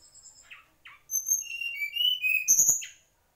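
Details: Mangrove whistler delivering clear, sustained whistles, a steady lower tone braided with thin high notes, then a sharp burst of chirps near the end, after two brief rough calls at the start.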